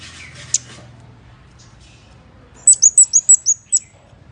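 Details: A quiet start with a lone sharp tick gives way to a rapid burst of six or seven piercing high ticking notes from a scarlet-backed flowerpecker, used as a lure call.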